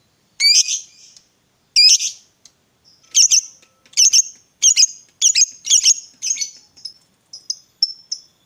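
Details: Lovebird of fighter type calling to stimulate another to sing: harsh shrill squawks at first, then quicker clipped chirps and thin high whistles toward the end.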